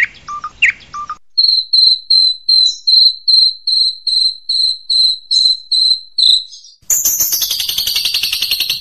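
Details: Long-tailed shrike tutor recording in 'tembakan' style: a few sharp chips, then a long series of steady, piercing whistled notes about three per second, ending in a harsh high buzzy rattle.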